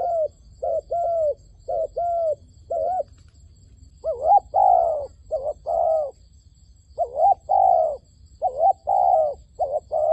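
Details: Decoy dove in a trap calling to wild doves. It gives soft, hollow coos in short rounded notes, strung in uneven bursts with brief pauses; the background is otherwise quiet.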